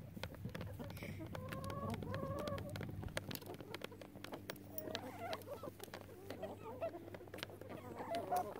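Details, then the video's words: A relaxed chicken flock with loud rooster crows removed, giving soft, low clucks and short stepped murmurs over a low background hum. "SOOTHING CHICKEN SIGHTS AND SOUNDS"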